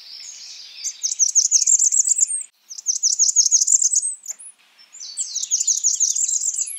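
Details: Blackburnian warbler calling in three bursts of fast, high, sizzling notes, each burst lasting about one and a half seconds, with short pauses between.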